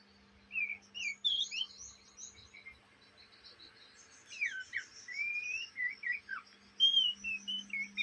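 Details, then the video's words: Young Oriental magpie-robin chattering, day and night: scattered sweet whistled and slurred notes, some sharply rising or falling, in bursts with short pauses, over a steady low electrical hum. "kacer bahan ngriwik siang malam"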